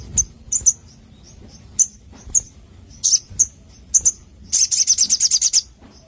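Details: Crimson sunbird song: sharp high chips repeated at irregular intervals, ending in a fast burst of about ten high ticking notes, with steady low background hum.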